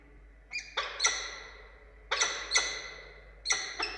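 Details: Peregrine falcons, a pair meeting in Orange, Australia, on 2 August 2022 as prey is delivered to the female: grating, abrupt calls in small clusters of two or three, separated by pauses of about a second.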